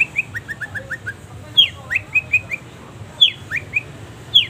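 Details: Long-tailed shrike song used as a training recording, full of pauses: a run of short, evenly spaced rising whistled notes, then loud downslurred squeaks mixed with quick chirps, repeated in bursts over steady low background hum.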